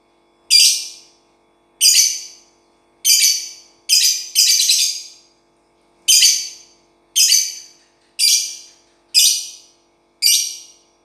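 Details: Lovebird kept without a cage, giving ten sharp, harsh, buzzy high chirps about one per second, each note quickly falling away. The room is otherwise quiet.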